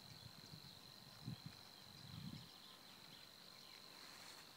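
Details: Savi's warbler reeling at Týnecké mokřiny nature reserve on 16 April 2016: a fast, steady, insect-like buzz held on one high pitch, with a few low thumps of wind or handling underneath.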